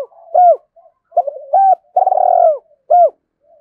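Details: Spotted dove decoy cooing in the 'thổ' voice to lure others: arched hoots separated by soft murmurs, a long rolling coo in the middle, and a final clipped hoot.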